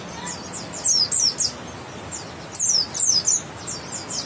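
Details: West Java white-eye, grey-white breast with yellow line, uttering short clusters of very high, sharp descending chirps in two bursts separated by a quiet pause, faint background hiss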